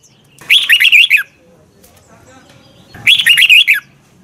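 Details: Morning song of a Red-whiskered bulbul, double twisted voice, meant as decoy song for training other bulbuls; two rich, rapid warbling phrases of looping up-and-down notes separated by a two-second pause.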